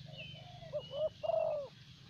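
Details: Spotted dove of the thổ bầu type kept as a decoy for luring wild doves in Vietnam, giving a soft cooing phrase: two short low hoots, then a longer, louder, slightly falling coo, over a steady low hum.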